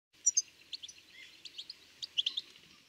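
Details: European goldfinch in the Doort nature area, Limburg, gives bright, high twittering notes in quick clusters of two to four, liquid and tinkling, over a faint background hiss.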